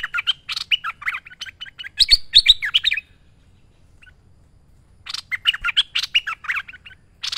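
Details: Merbah lekir bulbul singing busily, recorded as a training master: long runs of fast chattering warbled notes, a silent two-second gap, then the rapid chatter resumes.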